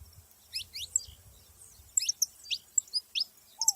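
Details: Several saffron finches in nature giving scattered high, quick chirps in small clusters separated by short pauses, with one low slurred whistle at the end.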